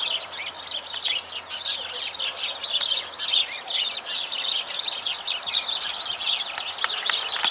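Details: Continuous sparrow chirping: dense, overlapping short tweets from several birds forming an unbroken, lively chatter.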